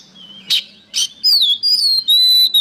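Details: Oriental magpie-robin song used as training material for songbirds. Two sharp chips are followed by long, clear, loud whistled notes that slur up and down.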